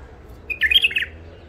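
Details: Wild-caught bulbul from the Mandali area of Iraq, an older catch in its first isolation, gives one short warbled phrase of quick liquid notes lasting about half a second, over faint background hum.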